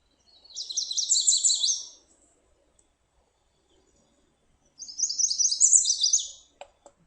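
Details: Yellow Warbler singing two bright, high, rapid phrases of sweet whistled notes, each about one and a half seconds long and rising toward the end, the rhythm rendered as 'sweet sweet sweet, I'm so sweet'.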